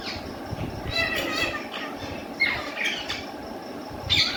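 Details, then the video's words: Ringneck parrot in a cage, talking in Urdu or Hindi, gives a run of rasping, speech-like squawked syllables, then sharp descending squawks near the end, against a constant background hum. "ringneck parrot beautiful talking in cage"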